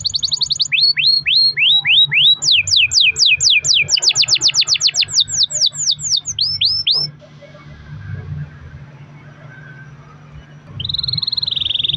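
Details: Canary in full song, a long-roll lure recording to make caged canaries respond: descending slurred whistles, then a fast run of rising repeated notes for several seconds, a pause with only low hum, and a high buzzy trill resuming.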